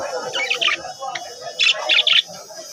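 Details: Caged pet bird kept at home in Bangladesh, giving short bursts of bright high chirps in two clusters, with a low hum and faint voices in the background.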